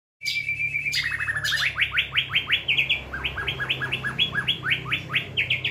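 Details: White-rumped shama singing in the trotol style: a steady whistled tone, then a fast run of sharply down-slurred notes repeated several times a second, holding a bright, even rhythm to the end, with a low hum underneath.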